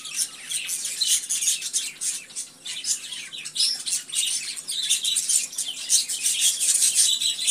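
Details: Budgerigars in constant overlapping chatter: scratchy warbles, sharp squeaks and quick tweets in uneven pulses.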